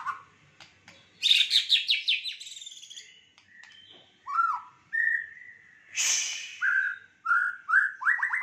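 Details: Fighter-style white-rumped shama with rich fill: a rapid high descending series of notes, then separate fluty whistled phrases rising and falling, with one harsh noisy burst.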